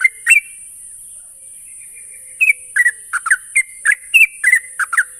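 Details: Sooty-headed bulbul, used as a lure to get untrained birds singing quickly: two short chirps, a pause, then a run of bubbly whistled notes at an uneven rhythm over a steady high hiss.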